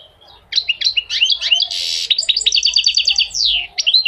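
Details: Goldfinch pouring out continuous high twittering song, with rising whistled notes, a brief harsh buzz, then a long rapid series of repeated chirps and a final downward slur.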